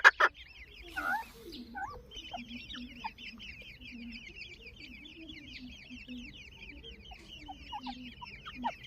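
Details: Grey francolin chicks with family, a continuous stream of thin high chirping peeps over soft low clucks, with a brief knock at the start.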